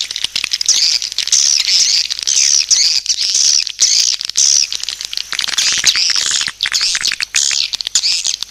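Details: Swiftlets give a lure call of repeated shrill rising-falling chirp phrases about every second, over fast dry clicking.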